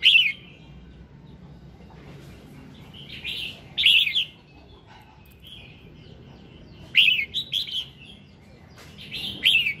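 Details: Morning song of a red-whiskered bulbul, played to encourage singing: clear warbling whistled phrases with sharp upslurred notes, grouped in short bursts separated by pauses of a second or more.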